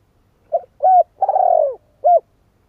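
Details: Spotted dove giving its full phrase: a short coo, a smooth slurred hoot, a long rolling purr that sinks in pitch, and a final clipped coo. All notes are low and mellow, with a quiet, still background.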